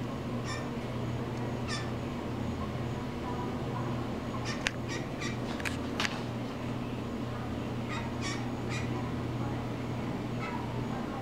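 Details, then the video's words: A male blue jay, seemingly talking to the camera, gives harsh, buzzy jeers, single or in quick pairs, a few seconds apart, over a steady low mechanical hum. "beautiful blue jay giving a bird-interview"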